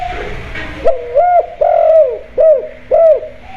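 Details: Spotted dove cooing, used as a lure to get birds kept at home to start calling: four hollow, arched coo notes in quick succession, each rising then falling, about half a second apart, in a small indoor space.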